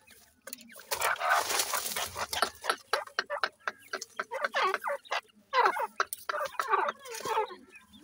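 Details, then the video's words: Pair of dakhni teetar (francolin) with chicks while the chicks feed: a busy string of short, harsh, chattering clucks and scratchy notes, irregular and overlapping, with bursts of rustling noise. "dakhni teetar chicks ki awaz"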